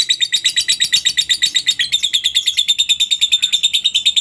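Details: Lovebird ngekek, played so that other lovebirds learn to sing: a fast, steady stream of shrill, buzzy chirps repeated several times a second, holding the same high pitch throughout.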